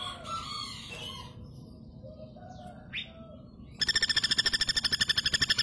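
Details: Faint bird chirps and a short rising note come first, then a female common flameback bursts into a loud, fast, even rattle of harsh notes.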